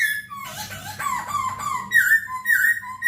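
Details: Masked laughingthrush song for training caged birds: wavering, slurred whistles with squeaky, moaning overtones, then clear loud whistled phrases repeated about every half second, over a low background hum.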